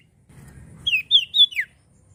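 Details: Common iora in full song, giving four sharp, high whistled slurs in quick succession, mostly falling in pitch, the last dropping furthest. A soft low rumble is heard underneath.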